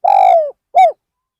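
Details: Part of a spotted dove's coo from a bird used as a decoy to lure wild birds at Ban Nong Hin: a long, low, slightly falling coo followed by one short rounded coo.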